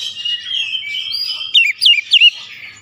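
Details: Oriental magpie-robin song played as a lure to prompt a silent bird to start singing: a soft, continuous twittering warble, then three loud, sharply slurred whistled notes.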